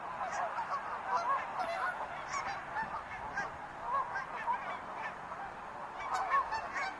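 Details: Chorus of wild geese, many overlapping honking calls forming a busy, continuous babble with occasional louder honks standing out.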